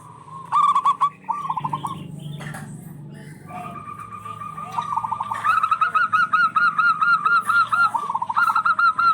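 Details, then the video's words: Local zebra doves calling back and forth as a lure for stressed birds. Early stuttered phrases sit over a low rumble, then a long, even run of rapid, slightly higher coos follows. "Suara perkutut lokal gacor bersautan paling cocok pancingan perkutut lagi stress"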